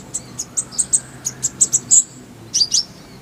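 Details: Kolibri ninja (sunbird) tutor song for caged birds. Very high, thin chirps repeat about every quarter second in a steady run, stop briefly, then return as a couple of quick twittering notes.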